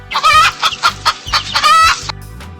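A hen gives a quick run of harsh, nasal clucks, about six bursts in two seconds, with two longer drawn-out notes among them.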